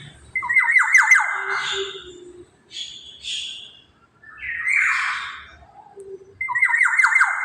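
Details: Black-naped oriole played as a lure for other birds: a scratchy squawk of quick descending strokes with a harsh tail, then softer buzzy chatter notes and a second squawk series near the end.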